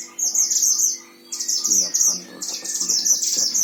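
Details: Tutor-bird oriental white-eye from Sragen, Central Java, Indonesia, in lively song: three loud, very high, rapid warbling runs with short pauses between, plus faint clicks and a low background hum.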